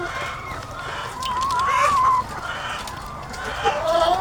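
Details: Thousands of egg-laying hens on a farm form a constant clucking backdrop, and one hen rises above it with a long, wavering, drawn-out call lasting about a second, followed later by a brief rising note.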